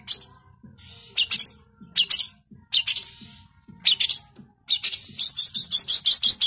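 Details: Long-tailed shrike delivering 'tembakan rapat' song: separate bursts of harsh, rasping notes with short pauses, ending in a fast run of repeated sharp notes.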